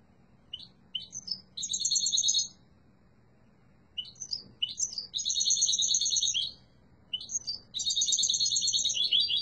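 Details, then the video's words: Yellow mutation goldfinch singing in three separate bursts, each starting with a few clipped chirps before breaking into a rich, rapid tinkling trill, with quiet pauses of about a second and a half between them. "تغريد قوي و جميل🐦 لطفرة الحسون الاصفر"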